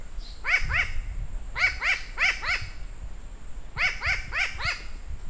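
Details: Fieldwork recording of a New Caledonian crow: harsh, rising-falling 'waa' calls with strong overtones, repeated rapidly in clusters of two to four, with brief gaps between clusters and faint low noise beneath.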